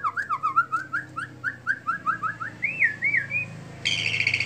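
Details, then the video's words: White-rumped shama during a bowing display, delivering rapid rhythmic whistled notes that build into a looping warble, then a harsh buzzy rattle at the end. "murai sujud"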